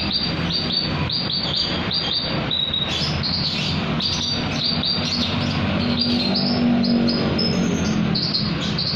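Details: Javan bush lark singing at night with fast, clipped notes repeated about four per second, mixing short chirps and trilled phrases, over a steady low rumble.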